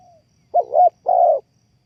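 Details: A single spotted dove phrase used as a trapping lure: a short wavering double coo followed by a longer, steady low croo, then silence.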